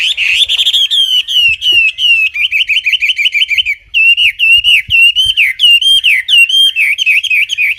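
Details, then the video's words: Wambi song, clear and loud: a long unbroken stream of quick, ringing whistled notes that bounce up and down in short looping figures, repeated rapidly for nearly eight seconds. "Kicau Burung Wambi Jernih"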